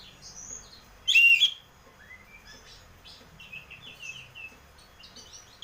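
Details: Oriental magpie-robin in 'ngeplong' song used as a lure to make birds sing: one loud whistled burst early on, followed by faint scattered chirps and twitters.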